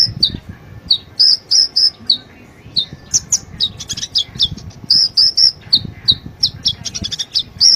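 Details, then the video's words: Sunbird song used as a lure to coax a quiet bird into singing: rapid high, thin chirps and sharp tweets in quick bursts, some squeaky notes, continuing steadily over a faint low background hum. "Pancingan Ampuh,buat Kolibri yang malas bunyi"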